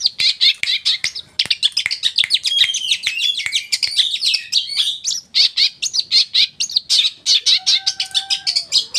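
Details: Energetic song of a tame East Javan Long-tailed shrike, meant to draw answers from other shrikes: continuous rapid, harsh high-pitched chirping and trills with a few slurred whistles, ending with a faint lower steady whistled tone.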